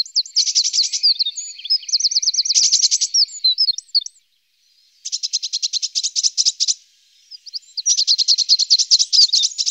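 Eurasian blue tit giving high, rapid ticking and buzzy trills in bursts of one to two seconds, with short whistled notes between; no other sounds.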